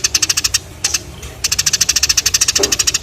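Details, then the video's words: Sparrows giving quick runs of loud, sharp chirps at a steady rapid pace, with a short break, then a longer unbroken series. "The sound of sparrows/Burung Gereja Gacor"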